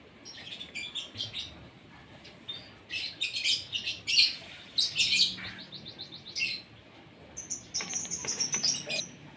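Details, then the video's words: Asian pied starling at morning feeding time, fed to make it sing actively; bursts of harsh, scratchy chatter mixed with thin high whistles come in groups separated by quieter pauses, over a faint low background hum. "SARAPAN PAGI BURUNG JALAK SUREN SUPAYA GACOR"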